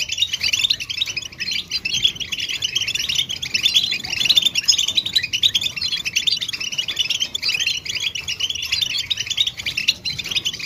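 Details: Goldfinch calls used to stir silent males into song: a long, unbroken cascade of rapid high twitters, buzzy chirps and jingling notes at a steady, even intensity.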